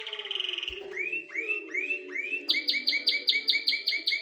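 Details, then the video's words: Canary singing to prepare the female for mating: a rapid rattling trill, then a series of rising, upslurred whistles about twice a second, then a quick run of sharp, high, repeated notes over a steady low hum. "ولا أروع أصوات طيور الكناري #تجهيز أنثى الكناري للتزاوج#اصوات كناري نار"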